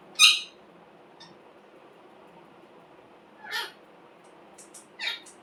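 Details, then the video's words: Green parrot, described as a talking bird: three short harsh, raspy squawks, a sharp one at the start and two more near the end, separated by quiet pauses with a faint low room hum. "Parrot natural sound #Aisa bolane wala tota nahin dekha hoga"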